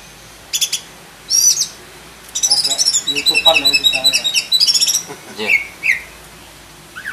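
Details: Oriental magpie-robin, black-breasted form, singing its full isian song: a few sharp high notes, then a fast, dense run of warbled whistles and chirps lasting about three seconds, with faint voices behind.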